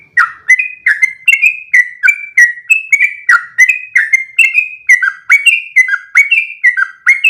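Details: Sooty-headed bulbul in a long continuous song, recorded as training material for other bulbuls: bright whistled notes falling in two-note phrases, repeated rapidly and steadily for seven seconds without pause.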